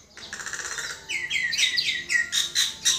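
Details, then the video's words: Common myna uttering a rapid run of buzzy notes, then loud repeated downslurred whistles about four per second, ending in strong harsh chirps. "Chim Sáo Nâu"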